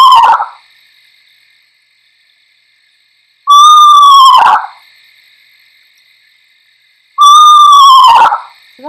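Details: Eastern Screech-Owl giving its descending whinny, a haunting owl-like sound of the night: three separate whistled notes about four seconds apart, each sliding downward and ending in a brief wavering flutter.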